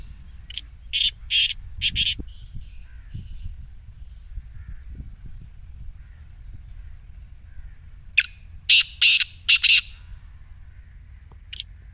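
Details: Black francolin, a caged bird's excited 'masti' call, played to make other francolins call: two bouts of harsh, loud, grating notes, three or four bursts each, about six seconds apart, over a faint steady high hum and quiet background birds.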